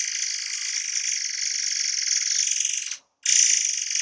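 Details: Forktail, locally murai air, giving a dense song burst for tutoring cage birds; a three-second unbroken shrill, finely pulsing high trill, a brief cut, then the trill resumes loudly.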